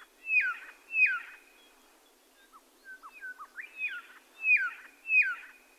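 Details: Red-lored whistler song: loud, sharp downslurred whistled notes repeated about once a second, with softer short notes between them in the middle.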